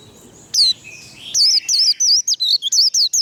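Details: Warbling white-eye singing the 'líu đấu' competition song style, fired up for fighting. Two squeaky high notes come first, then a fast run of shrill, looping whistled notes, about three per second, in near silence.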